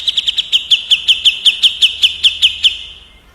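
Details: Grey-cheeked bulbul (cucak jenggot) trading rapid 'tembak' roll phrases with a kapas tembak: a steady trill of sharp clipped notes on one pitch, about six per second, fading out at the end.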